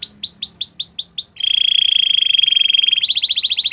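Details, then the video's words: Belgian canary singing: a run of about eight upward-swept whistled notes, then a long steady buzzy roll held over a second, ending in a fast rattling trill. "Belgian canary singing!!"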